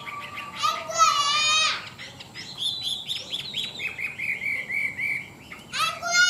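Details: Large, tame Chinese hwamei in full voice: harsh buzzy bursts with stacked overtones, then bouncing looped whistles and a steady string of short even notes, ending in another rasping burst.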